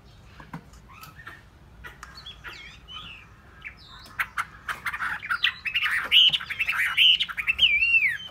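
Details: Caged hwamei, a bird that has been sold, starts quietly with scattered chips, then from about halfway swells into loud, varied whistled phrases that slide and warble between mid and high pitch.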